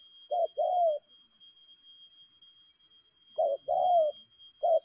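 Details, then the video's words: Quick-tempo "lèo gù" cooing from a spotted dove: a short note and a longer falling coo, repeated after a pause, with a further short note at the end. "Nết chơi nhanh lẹ, gù tốc độ.Clip445/ Nước chơi lèo gù."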